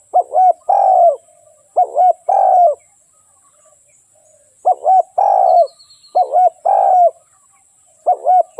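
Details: Spotted dove cooing: phrases of two quick, bouncing coos followed by a longer, rough, slightly falling coo, repeated four times with short pauses; a faint steady high-pitched hum runs in the background.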